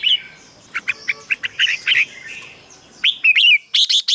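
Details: Red-whiskered bulbul sound used to excite caged birds: a series of quick short chirps over a hissy background, then a clear swooping whistled phrase and a few sharp notes.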